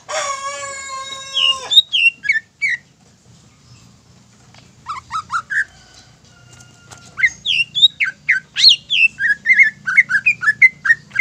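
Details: Greater green leafbird provoking song for other leafbirds: opens with a long, rich descending harmonic note, followed by scattered whistles, a pause, then fast varied chirps and slurred whistles.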